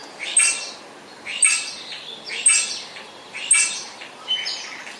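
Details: Spotless starling uttering harsh, rasping chatter notes, one burst roughly every second, five in a row, with tiny sharp clicks at the top of each burst against a faint background hiss.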